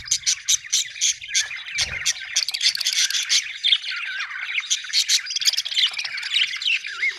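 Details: Budgies chatter loudly in quick pulsed bursts of chirps and squawks, with a soft thump near two seconds and a rising whistled squeak at the close.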